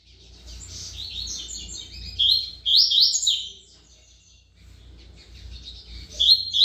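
A double-collared seedeater sings quick, high, bright phrases of chirps and slurred notes in bursts, pausing briefly between phrases, over a faint low hum.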